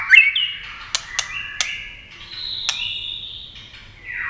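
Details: White-rumped shama competition song with continuous wing and tail flicking: opens with a bright loud whistled flourish, then quieter sustained high whistles punctuated by sharp clicks, closing on a falling slurred note.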